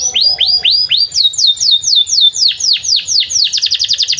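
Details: Singing canary beside a field, song meant for tutoring young canaries: sweeping whistled notes repeated about twice a second, then quicker rising tours that speed into a rapid trill at the end.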